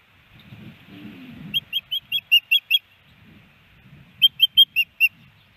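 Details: Female osprey at her nest in Hellgate Canyon, Missoula, Montana, calling for her mate on May 18, 2019, via nest camera. Two rapid bursts of high, thin whistled chirps, seven and then five notes, over faint low rumbling.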